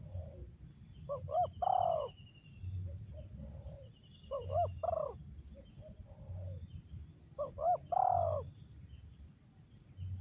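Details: Spotted dove decoy bird with a 'ngeruk' voice gives three phrases about three seconds apart. Each is two clipped rising notes and then a long, slightly falling coo, with faint quiet coos in between. Thin high chirps come from another bird.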